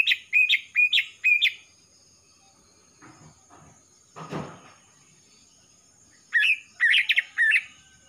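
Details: Young male greater green leafbird from Kalimantan, black emerging on the front of its neck, sings a rapid row of upswept whistles, pauses amid a soft knocking sound, then ends with buzzy, twanging rising notes.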